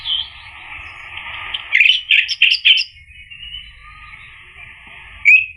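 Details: Orange-headed thrush song in gacor ngeplong style, meant as therapy for a bird that has stopped singing. A soft warble builds into five or six loud, quick whistled bursts, a quiet pause, then one sharp upslurred note.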